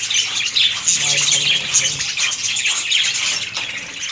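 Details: Budgerigars in a breeding colony, many birds calling at once: dense, scratchy warbling and chirping that runs continuously without pause, high-pitched throughout.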